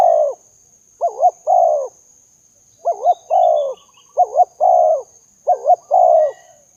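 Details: Spotted dove coo used to lure doves: five phrases, each a quick double note followed by a longer mellow coo, coming about every 1.3 seconds. Clean background with faint high hiss.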